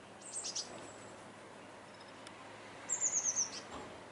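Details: Common swifts arriving back in spring at Swinford on 5 May 2016; very high, thin shrill notes, a drawn-out scream early on, then a rapid run of five short descending screams.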